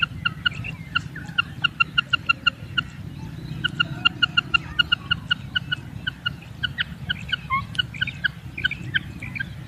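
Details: Raising call, locally named kirak, from a female common quail: dense clusters of brisk short pips repeated in bursts, thinning toward the end, over a steady low background hum.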